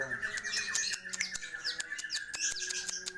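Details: Long-tailed shrike (cendet or pentet) in full song with plentiful fills. It gives harsh squawks, clicking notes and short sweeping chirps in a busy, rapid sequence over a steady high tone.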